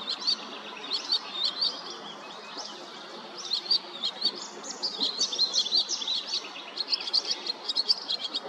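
Barn swallows give high, fast twittering chatter in bursts of chirps and brief rattles, almost continuous throughout, over light outdoor background noise.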